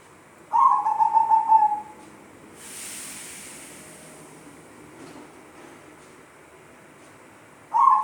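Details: Zebra dove giving an unusual, strange-sounding call: a wavering, finely trilled coo near one pitch lasting about a second, then quiet, with a second trill starting at the end.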